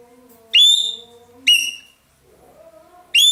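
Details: Ekek keling, a loud-voiced roller used in Indonesia as a tutor bird, giving three strong harsh notes that swoop downward, spaced about a second apart, while quieter tonal whistles from other birds sound between them.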